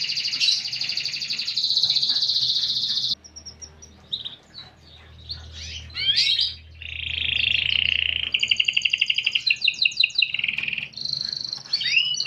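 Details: Kept canary with an unusual, pleasing song: a loud high rolling trill for three seconds, a quieter gap of scattered notes, then buzzy trills, fast repeated chips and sweeping whistles.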